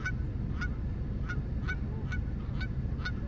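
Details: Short, evenly spaced goose honks, roughly two to three per second, fairly faint and clipped, over constant low background noise.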